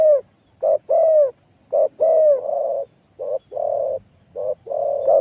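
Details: Spotted dove kept for decoy luring, deep-toned, giving low cooing pairs: a short note and a longer mellow coo, several phrases with brief gaps between.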